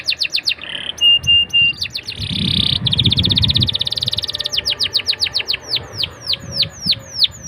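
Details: Canary song aimed at getting young canaries to sing: quick whistled notes, a short level pipe, then a rich rattling trill over low rumbling noise, ending in evenly spaced falling whistles.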